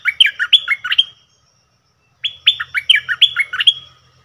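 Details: Cream-vented bulbul singing in the double song style, recorded 18 June 2021: two bursts of quick liquid whistled notes, each note sliding down then up, five or six per phrase with a clear pause between.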